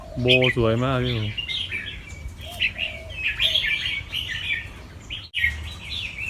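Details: White red-eyed albino fancy Red-whiskered bulbul from a Chonburi, Thailand competition bloodline, singing in a cage. A man speaks briefly at the start, then lively chirping warbles follow, with a short break near the end.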